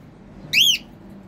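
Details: A pet cockatiel calling while hungry: a single loud, rising-then-falling whistled note lasting about a quarter second, over a quiet indoor background.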